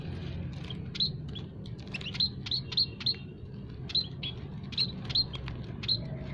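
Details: Several kinds of munia, including emprit kaji, peking and jawa, in an aviary, calling as a lure for trapping: short high bright chirps repeated irregularly, roughly two per second, over a steady low rumbling background.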